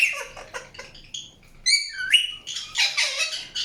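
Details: Indian ringneck parakeet chirping: short scratchy notes, then clear rising whistles, followed by a harsh, buzzy squawk.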